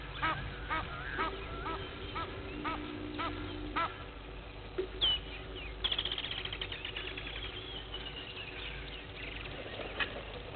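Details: Blacksmith lapwing at Gowrie dam waterhole, Djuma Game Reserve, Sabi Sand, South Africa, at 06:45 on 03/02/21, gives sharp metallic clinking notes, spaced then in a quick rattling run, over a steady low hum with faint other birds.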